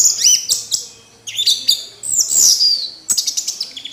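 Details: Orange-headed thrush pouring out a rich mix of high whistles, slurred descending notes and rapid stuttering chirps in quick succession.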